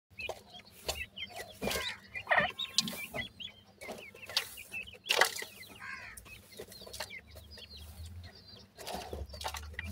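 Grey francolin chicks give busy, high, thin cheeping notes, several overlapping at an uneven pace, with some soft clucks and sharp knocks and thumps nearby.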